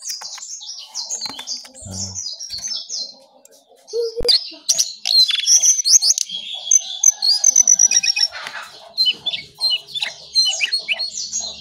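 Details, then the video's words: ['Brown songlark singing actively early in the morning: dense, rapid run of high twittering and chattering notes with sharp whistled slurs, a brief quieter gap near four seconds, then louder varied phrases.'] "Jongkangan/cingcoang coklat Gacor Pagi Sekali"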